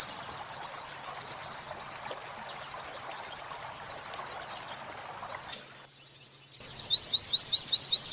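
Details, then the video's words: Oriental white-eye training song in the wit-wit sambung kunti pattern for captive birds: a long run of about thirty thin, rapid, high whistled notes that grow more upslurred, a brief pause, then a renewed burst of sharp twittering notes. "Masteran pleci wit~wit sambung kunti"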